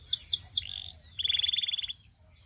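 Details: Canary song opening with quick descending whistled slurs, then a thin high note and a fast, evenly repeated trill that stops abruptly into silence.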